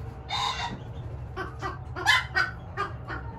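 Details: Pheasant and chicken hybrid chick, three weeks old, giving short harsh squawking calls in a quick irregular series of about eight bursts, over a low steady hum.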